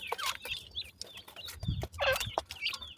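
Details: Partridge chicks in a forest giving cute chirping calls: bright, short high chirps in quick, uneven bursts from several birds, with soft low rustling and thumping underneath.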